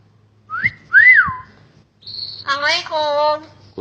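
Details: Talking common hill myna known for copying greetings, coughs and a woman's voice. It gives two short rising-falling whistles, then a brief hiss and a nasal, voice-like harmonic utterance lasting nearly a second, over a faint low hum.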